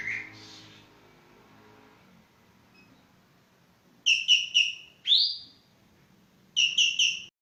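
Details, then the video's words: Javan green magpie, Cissa thalassina, calling vigorously: a short opening note, a silent pause, then clipped triple bursts of harsh ringing notes, a single rising swoop, and another triple burst at the end. "Burung Ekek Geling Benar-Benar Gacor"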